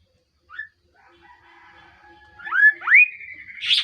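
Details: Melodious call of an actively singing kaso-kaso bird: a brief chirp, a long, faint, level whistle, then two loud upslurred whistles rising sharply, ending in a harsh, buzzy burst. The setting is otherwise quiet.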